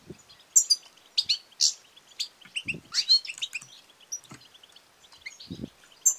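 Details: European goldfinch, female, calling with batbata and satsata notes to encourage males to sing and mate; crisp high chirps and tinkling trills, loudest in bursts near the start and end, with low thuds.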